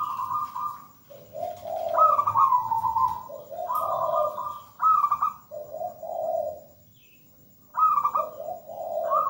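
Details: Zebra dove, a local bird, singing with a mellow, melodious cooing: repeated phrases that alternate higher and lower rolling coos, each phrase about a second long with short pauses between.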